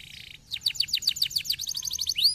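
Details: Canary song played to stimulate lazy canaries into singing: a brief steady high buzzy tone, then a quick run of bright, downward-slurred whistled notes at about eight per second, ending in a rising note.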